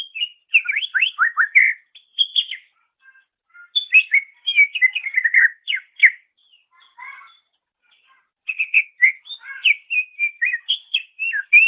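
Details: Master recording of greater green leafbird (cucak ijo) singing for training songbirds: dense, varied bursts of whistles and sharp chirps in fast sequences, separated by brief gaps, with a low burred note midway.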